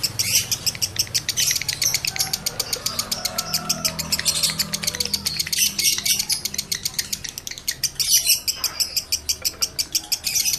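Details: Male lovebird in high breeding condition, used to stimulate other males: a continuous rapid chatter of high, sharp chirps pulsing several times a second, with a faint low hum beneath.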